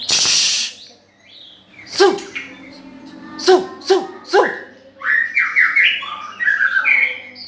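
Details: Loud song of a nine-month-old white-rumped shama. It opens with a harsh broadband burst, then sharp descending strokes repeated about every half second, then a run of clear whistled phrases at mid-high pitch.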